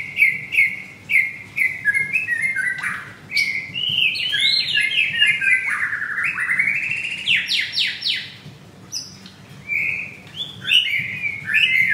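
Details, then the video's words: Caged male white-rumped shama at a bird kiosk in Kemayoran, Central Jakarta, Indonesia, singing persistently late on a Monday morning, 25 April: clear whistled notes repeated in a run, then rising and falling slurred phrases and quick upsweeping trills, delivered loud and continuous. "Murai Batu Gacor"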